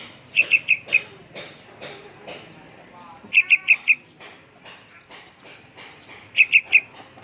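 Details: A young yellow-vented bulbul in lively voice gives three bursts of four sharp, high, evenly spaced chips about three seconds apart, with scattered softer sounds and knocks between the bursts.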